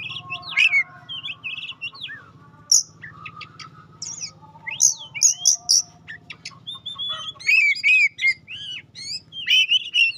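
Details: Oriental magpie-robin (kacer) singing a lure song used to test and provoke other magpie-robins: varied rich whistles, rising and falling slurs, sharp high notes and rapid trilled phrases, with a steady low hum beneath.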